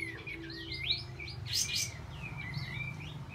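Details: Olive-backed white-eye singing as a lure for birds that have stopped singing; faint, sweeping whistled notes rising and falling, with a brief louder chirp burst, over a low background hum.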